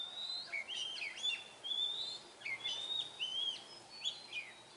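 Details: Oriental magpie-robin heard in the wild in Vietnam, a rich varied song of clear whistles, up-and-down slurs and quick chirped notes in bursts about every half second, over faint background hiss.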